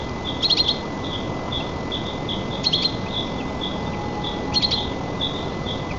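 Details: Nest-camera recording of white-tailed eagles during chick feeding, Nizhnyaya Kama National Park, Tatarstan, 4 May 2024: three bursts of thin, high, rapid chirps spaced about two seconds apart, with soft repeated peeps and constant hiss beneath.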